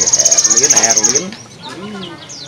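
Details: Caged Javan sparrow in the afternoon giving its odd trilling call, a fast rapid-pulsed high trrrrr lasting just over a second, followed by softer chirps and thin whistled notes.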